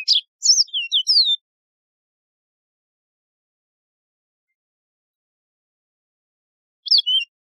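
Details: Yellow-fronted canary opens with a bright phrase of downward-swooping whistles, then stays silent until a short two-note snippet near the end; clean recording without other sounds.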